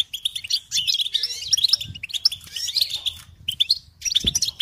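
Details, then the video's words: Goldfinch song tape for young birds: quick, sparkling chirps and twittered phrases, with a pause near the middle before bursts resume, and a soft thud near the end. "Encouragement to motivate and support goldfinches in songs"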